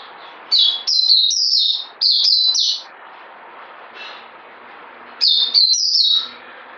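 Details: Caged white-eye singing: bursts of high, bright twittering notes with sliding, warbling slurs, two song phrases separated by a pause, over a low background hum.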